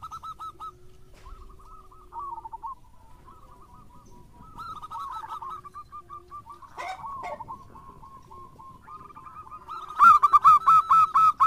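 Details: Local zebra doves singing actively, used as a lure to prompt other doves: rapid high cooing notes repeated in long runs, several birds overlapping, growing loud and ringing near the end, with a faint low hum beneath.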